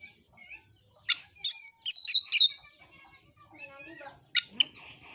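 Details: Oriental magpie-robin in fighting-mode song, used to provoke other magpie-robins into singing. A few sharp high notes and a short burst of bright whistled phrases, separated by quiet gaps with faint lower warbles.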